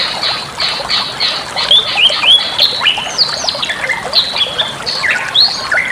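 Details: Bali myna song for training other birds: opens with a run of evenly spaced harsh buzzy notes, then breaks into varied whistled slurs, sharp upward sweeps and falling notes over steady hiss.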